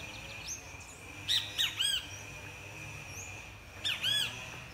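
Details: Great kiskadee singing; two bursts of loud, sharp three-note harmonic calls, each note arched and ringing, separated by a pause, over a steady high insect-like whine and faint low background rumble.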